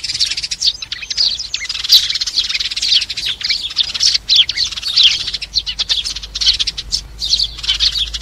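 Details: Sparrow summoning the flock, a sound used for trapping: near-continuous excited chirping, fast and overlapping, with uneven bursts and faint low background noise.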